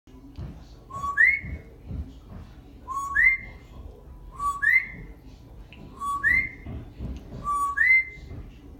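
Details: A 20-year-old African grey parrot born in Puerto Rico mimics a coqui frog, repeating a two-note 'co-qui': a low whistle, then a higher rising one.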